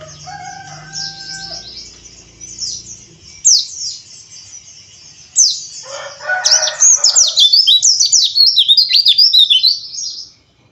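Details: Oriental white-eye (pleci) lure recording meant to make a bird sing with harsh ngeriwik chatter: rapid high twittering phrases with sweeping notes, preceded by a lower harmonic crowing-like call and a burst of mid-pitched noise.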